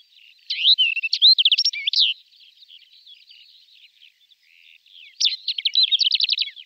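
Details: Male greater short-toed lark in song flight, mimicry included: a loud jumble of high slurred whistles and chirps, a soft murmuring interlude, then a fast stuttering series of sharp repeated notes.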